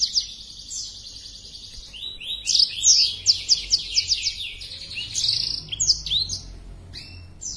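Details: Black-throated canary in breeding condition, spreading its wings while singing: high, rapid phrases of sharp downward-slurred notes and steady whistled tones, bursts separated by brief pauses.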